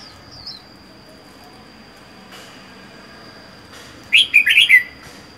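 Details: Red-whiskered bulbul kept singly in a cage after four months of captivity; several quiet seconds with a faint steady tone, then a rapid burst of four or five loud chirpy warbled notes.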